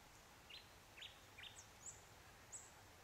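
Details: Red-browed finch (Neochmia temporalis) beside the sealed section of Victoria West Fire Trail, Dharawal State Conservation Area, calling: short, thin, high-pitched notes, about five in three seconds, some sharp and very high, over a steady hiss.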